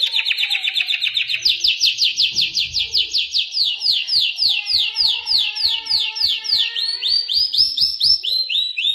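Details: Iranian Mashadi lark (jal) in full song: a fast run of rising, buzzy chirped notes about two per second, high and bright, shifting to a slightly higher series midway and ending in looped upslurs.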